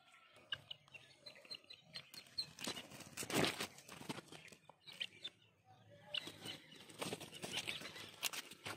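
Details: Angry guineafowl give harsh, rasping bursts of grating chatter in uneven clusters, loudest in two noisy bouts, with flapping and scuffling between calls.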